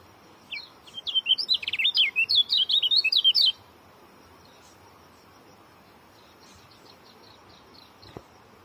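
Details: Oriental white-eye pouring out a three-second stream of tightly spaced, high twittering whistles that rise and fall quickly, followed by quiet with a faint click.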